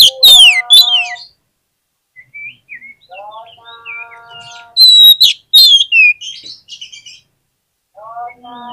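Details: Oriental magpie-robin lure recording to get lazy magpie-robins answering: loud whistled bursts open and recur midway, interspersed with lower, nasal harmonic notes and soft chattering phrases, then a brief silence.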